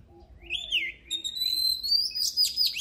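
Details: Oriental magpie-robin singing, a 2023 recording for song training: a sliding, buzzy note near the start, then sustained high whistles and rich warbled notes building toward the end, with a faint low hum underneath.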